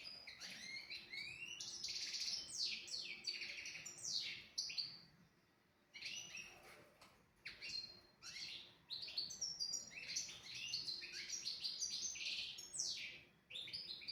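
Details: European goldfinch singing a tutor song meant to teach young goldfinches and canaries: dense bursts of rapid, high twittering chirps, liquid notes and buzzy trills, broken by a short pause near the middle before the tumbling phrases resume.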